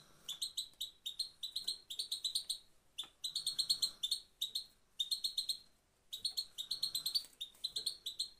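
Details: A female European goldfinch calls with sharp, high, tinny chirps run together in fast bursts of roughly a second. Four such runs are separated by short silences, with a faint room hum beneath.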